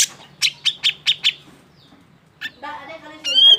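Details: Excited grey-cheeked bulbul calling to provoke other birds into singing: five evenly spaced sharp notes, a pause, then a harsh burst and a rising whistled note at the end.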